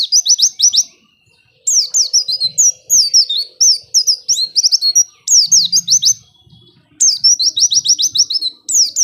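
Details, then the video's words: Lure recording of white-eye song meant to make reluctant white-eyes sing quickly: bursts of fast, high twittering trills and down-slurred whistles with brief silences between phrases, and a faint low hum in the background. "Pancingan Pleci Males Bunyi Agar Cepat Gacor"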